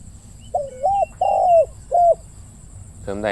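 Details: At about 17:00 a decoy spotted dove gives a single phrase of three mellow coos, a looping note, a long level note and a short falling one, followed by a short burst of noise.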